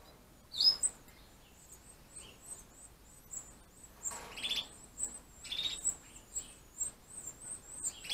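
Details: Gloster canary chicks begging while a breeding hen and cock feed them in captivity, 2015: a steady series of thin, very high peeps repeated about twice a second, broken by a few louder, lower chirps.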